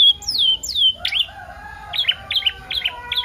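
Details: Pancingan kenari paud filled with isian, for stimulating canaries to sing: two high whistles sliding downward, then a steady row of short two-part chirps about three times a second.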